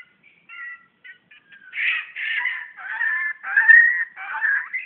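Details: Recorded in Brunei, 2013, a magpie-robin faces a mirror and sings. A few soft, thin whistles lead into louder, harsher, buzzy phrases repeated in short blocks.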